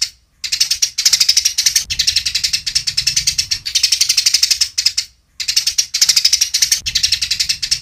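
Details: Eurasian tree sparrow fighting call, a training recording with clear pauses: dense, rapid high chirps repeated about ten per second in long bursts, broken by abrupt silent gaps near half a second and five seconds.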